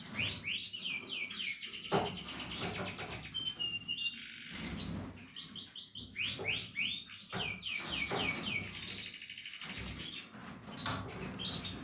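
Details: Captive Portuguese Harlequin canary chicks giving long bouts of rapidly repeated arching notes and rattling trills, two main bursts with a short lull between them, and a quieter background.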